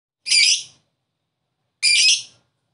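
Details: Lovebird, used as therapy to make a quiet bird start singing again: two harsh, buzzy high squawks about a second and a half apart, separated by silence.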